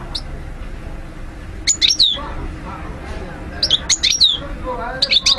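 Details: Goldfinch sounds used to train birds to sing: short clusters of sharp, high chirps and twittered notes spaced a couple of seconds apart, over a low background hum with faint softer calls.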